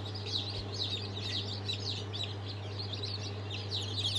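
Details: Chorus of freshly hatched chicks, Sultan, Fizan and İspenç breeds, hatched 22.02.23: overlapping thin high peeps with no pause, backed by a steady low electrical hum.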